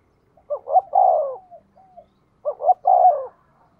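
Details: Decoy spotted dove calling to draw in wild doves: two short clipped hoots rising into a long, drawn-out mellow coo, the phrase given twice with a pause between, in quiet surroundings.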